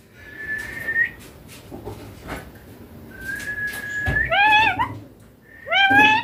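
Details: Pet green ringneck parakeet indoors giving long steady whistles, a sliding note, then harmonic-rich rising and falling mimicked phrases near the end, with faint room noise.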